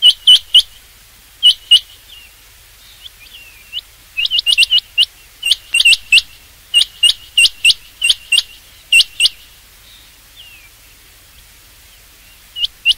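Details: Rain quail call meant for hunting, a long run of crisp, high, metallic double and triple notes. Clusters repeat rapidly with brief gaps, plus a few softer slurred notes in between. Little background noise.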